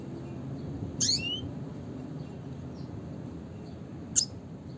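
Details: Red siskin calling in the classic style: a single buzzy call sweeping upward in high strands, followed later by one short bright chip, with a soft low hum behind.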